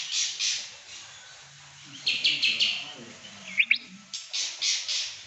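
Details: Animated Pekin robin song of bright, high, clipped notes in small groups, with a thin rising whistle midway and a low hum in the background.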